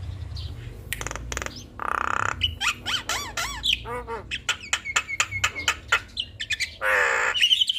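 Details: Black-winged myna singing a busy mixed song used to tutor other mynas: harsh rasps, clicks and looping bubbly whistles, delivered loud and close in quick succession.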